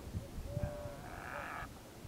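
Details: At Thol Lake, a brown-headed gull gives one drawn-out, nasal, bleating call lasting about a second, over low wind rumble.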